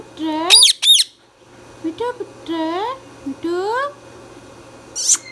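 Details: Indian ringneck parrot talking indoors: two sharp shrieks, then several drawn-out voice-like phrases with rising stacked tones, ending in a short harsh squawk, over a faint low hum.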